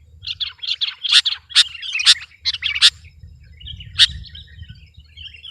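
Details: Sooty-headed bulbul in full competition song meant to dominate rivals: quick runs of sharp, bright chirps with louder accented notes, then softer twitters, over a steady low background hum.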